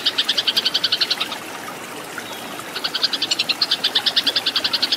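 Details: Rapid chattering fighting song of a Eurasian tree sparrow for cage-bird training: a burst of fast high chips, a silent stretch of about one and a half seconds, then renewed chatter.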